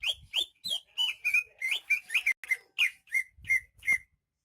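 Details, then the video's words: Persistently singing greater green leafbird from Banyuwangi: about a dozen loud, clear whistled notes at roughly three per second, varied sweeps ending in steady bright whistles, with soft low thumps. "Suara kicauan burung cucak ijo KTP Banyuwangi gacor"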